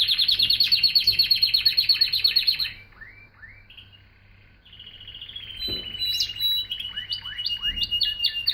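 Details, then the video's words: Singing canary: a loud fast rolling trill for almost three seconds, descending slurred notes, a pause, then a long steady whistle broken by rising chirps. "Singing Canary"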